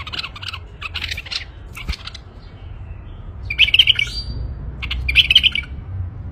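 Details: A male bulbul gives two rich, bubbling warbled bursts a second and a half apart, set against soft chirping and low background rumble.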